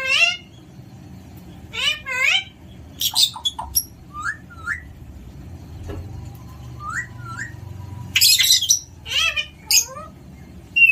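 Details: Alexandrine parakeet making a busy mix of sounds: short upward whistled notes, harsh broadband squawks and quick chirps scattered across the stretch, over a low rumble of background noise.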